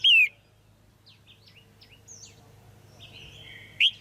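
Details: Caged female red-whiskered bulbul, calling to attract a male or for pairing; one loud slurred whistle opens and another closes, with soft thin chirps and a faint drawn-out whistle between, low hum beneath.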